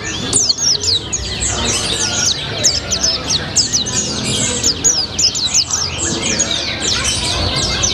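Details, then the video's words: Caged white-eye song, said to include imitated sunbird-like notes: a fast, unbroken stream of thin, high twittering with quick downward sweeps over a low background murmur. "Burung Pleci Rasa Colibri, Gacor Ngalas"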